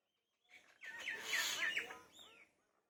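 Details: Morning field recording from West Bengal of a common myna: a burst of mixed chatter, rasping notes interleaved with short bright whistles and slurred chirps, rising to a loud middle and fading over about two seconds.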